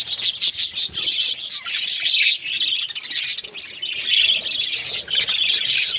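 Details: Several pet budgerigars kept at home, noisy and dancing: continuous dense high chattering and chirping warble, sharp ticks and squeaks overlapping without pause.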